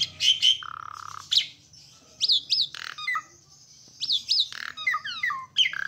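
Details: Asian pied starling song: loud varied phrases mixing sharp rising whistles, harsh buzzy notes and descending slurred notes, delivered in rapid bursts with short gaps.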